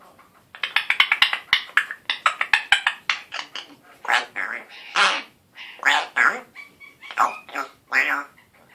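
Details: Young African grey parrot that learned to mimic a raspberry along with words like hello and good boy: a rapid buzzing train of clicks, then a series of harsh rasping bursts with a few thin tones.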